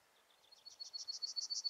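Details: Yellowhammer singing on heathland near Uddel in May 2013: a quick series of high, thin repeated notes that start soft and grow steadily louder and more even over under two seconds, with a quiet background.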